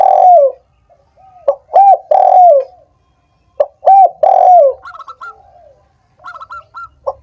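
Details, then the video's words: Spotted dove song for prompting slow, silent doves to call: three phrases of rising-and-falling hoarse coos at a steady pace, followed by quick high-pitched chirping notes. "suara PERANGSANG burung tekukur yang malas dan macet bunyi"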